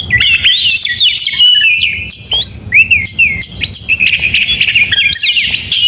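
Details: Morning song of an oriental magpie-robin in full, energetic voice: loud, varied phrases of clear upslurred whistles, chattering notes and sustained high tones, strung together almost without pause.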